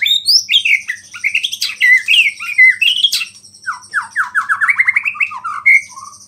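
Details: Energetic white-rumped shama song, packed with borrowed small-bird phrases and said to stir other shamas. It is a dense, rapid stream of rising whistles, rattling note series and sharp slurs, with a faint low hum beneath.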